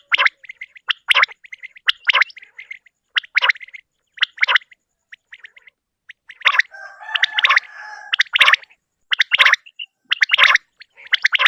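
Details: Common quail morning call in short, liquid bursts of three clipped notes, repeated about once a second, with a stretch of rough background noise in the middle.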